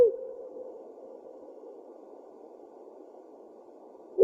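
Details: Powerful owl (Ninox strenua) of eastern Australia, hoot: a deep, low, soft hooting tone held steady for about four seconds, with no other sounds.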